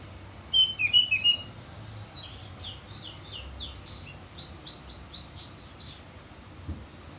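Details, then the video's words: Orange-headed thrush in ngeplong style: one loud quick cluster of slurred whistles at the start, followed by a long series of softer high, short repeated notes fading across the rest; low background hum. "Anis merah ngeplong"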